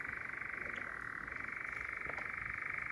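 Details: Close-range churring of a European nightjar at night in Sherwood Forest, another bird calling distantly: an unbroken, fast-pulsed mechanical rattle dropping slightly in pitch partway through, with faint short sounds behind.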